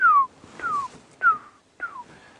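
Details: A distant African barred owlet calling on a sunrise safari drive on 30 September 2016 gives four clear, down-slurred whistles, each about a third of a second long, spaced roughly half a second apart, against a quiet background.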